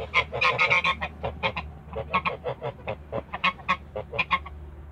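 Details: Honking from a Toulouse goose pair in a backyard: a steady stream of brassy, nasal calls, about four per second, uneven in spacing and loudness, with a faint low hum beneath.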